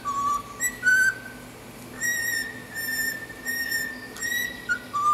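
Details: Cockatiel (Nymphicus hollandicus) whistling learned tunes (national anthem, wolf-whistle "fiu-fiu", Star Wars) in clear, pure notes: long held tones stepping between middle and higher pitches, with a few short upward slides.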